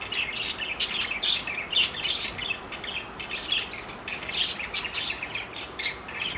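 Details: Four parakeets, said to be flirting, chatter in quick, bright chirps and warbles: overlapping high-pitched bursts about every half second, with soft background hiss.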